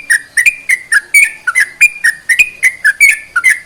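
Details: Sooty-headed bulbul song for encouraging silent bulbuls to sing: brisk sequence of clear whistled notes, rising then falling, delivered about three per second on a quiet background.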